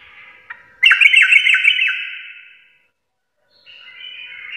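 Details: Sooty-headed bulbul full garuda song: a single click, then a loud rasping trill with quick clicks that fades, a short silence, and a softer buzzing phrase resuming.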